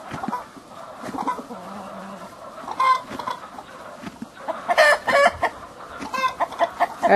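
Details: In spring, a very old hen brooding a placed egg clucks with a rooster and other chickens: busy, uneven bursts of short mid-pitched notes, a few louder squawks, faint talking behind; she seems to be losing her voice.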